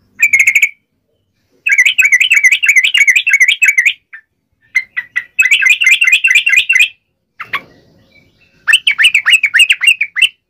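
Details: Yellow-vented bulbul in a fighting song of the wild 'tarung ngalas uplik ropel' style, played to make other bulbuls answer: fast bubbling chattering phrases in four bursts separated by short pauses, with bright harmonics.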